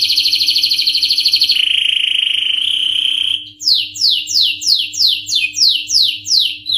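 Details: Singing canary: a fast pulsed trill, then a steadier drawn-out whistled tone, followed by nine evenly repeated loud descending slurred notes at about three per second.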